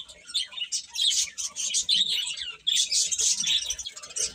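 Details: Chicks peeping together, rapid thin high-pitched chirps piling over one another in a continuous busy chatter with short dips in loudness.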